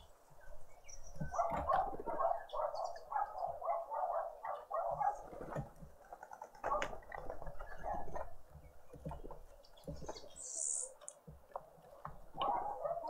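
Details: Green woodhoopoe family group at breakfast on a noisy spring Sunday morning in a suburban garden in Pretoria, South Africa; rapid, harsh cackling notes pour out in dense chattering bursts, rising and falling, with some low rumbling underneath.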